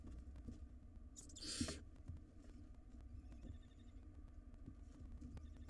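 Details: Wild barn owl chicks squabbling over a meal in their nest box: one short, breathy screech with a few soft high chitters and quiet shuffling sounds afterwards.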